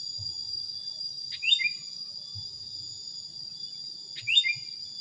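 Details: Sooty-headed bulbul heard on a recording used to train songbirds. Two brief bright phrases, each a quick tweet gliding downward, sit nearly three seconds apart against a constant shrill cricket-like hum.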